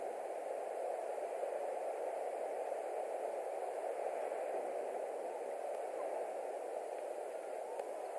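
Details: Even static hiss from a nest camera microphone, with no animal calls.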